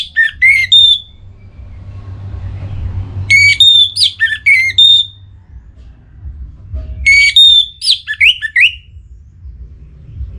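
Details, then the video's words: Caged orange-headed thrush kept in Singaraja, North Bali, in breeding condition and agitated, singing to call a rival: three bursts of loud whistled phrases, rising and falling notes with sliding trills, roughly every four seconds, with low room hum beneath. "ANIS MERAH Gacor Pancingan Birahi & EMosi Burung || Kicau memanggil lawan"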